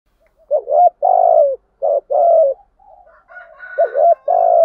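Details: Cooing spotted dove, 'giọng thổ' style for luring wild doves: repeated phrases of a brief rising note then a drawn-out, downward-sliding coo, with a softer murmured stretch midway before the phrases resume. Quiet background.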